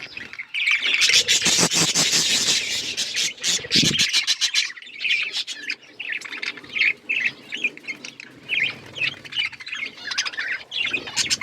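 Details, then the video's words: Several budgerigars at breeding time chirp in a busy flock chorus. A loud burst of rapid clicking, scratchy notes opens the clip, then come repeated short chirps and squeaky warbles at an irregular quick pace. "Budgies chirping sounds budgies breeding"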